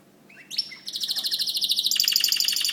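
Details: White canary song opening with a few soft rising notes, then a loud, rapid buzzy trill of repeated high notes that continues, slightly higher, to the end.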